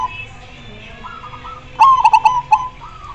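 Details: Zebra dove singing. Faint cooing from other doves, then a loud close phrase of a sharp note and a rapid run of rolling coo pulses, ending with a softer trailing coo.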